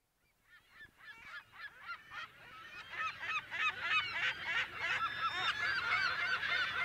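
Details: California gulls calling in a colony, close to medium distance, mono recording: a chorus of harsh, repeated yelping calls that starts from near silence and swells steadily louder and denser over several seconds.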